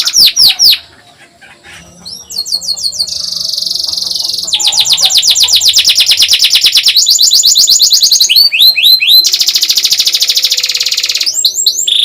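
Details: Canary masteran for teaching young birds, also meant to set off canaries that seldom sing: a few sharp notes, a quiet pause, a buzzy phrase with a sustained high whistle, then long fast trills and sweeping upslurs.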